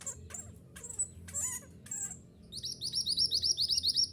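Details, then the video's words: Mantenan gunung, a bushchat, in a recording used to train caged birds to sing: a few separate high calls, then a fast steady series of bright, high chirped notes repeated several times a second. "Terapi Suara Mantenan Gunung Agar Cepat Gacor"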